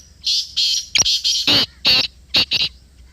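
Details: Black francolin in Pakistan calling: a loud, harsh, grating phrase of clipped, scratchy notes in a quick, uneven rhythm. Faint low background hum.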